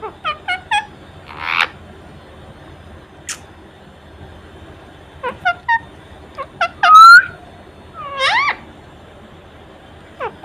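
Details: Ring-necked parakeet kept as a pet, posturing with spread wings before a mirror, utters scattered short squawky syllables and sharp rising calls, with a piercing whistle near the middle.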